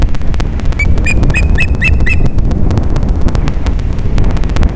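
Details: Osprey at Captiva, Florida, on the morning of 13 December 2021, during mating, giving a short series of thin, high chirps behind heavy, roaring wind noise.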